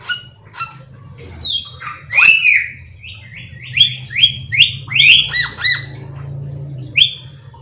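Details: Cucak keling song used as a lure to make other cucak keling sing: a descending whistle, then a run of loud slurred notes repeated about twice per second, over a continuous low droning hum.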